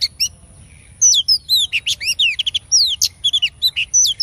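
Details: Female oriental magpie-robin, a kept songbird, singing to stimulate male birds: after a short quiet opening, a fast run of sharp whistled notes, downslurs and chirps, high and varied, with brief gaps.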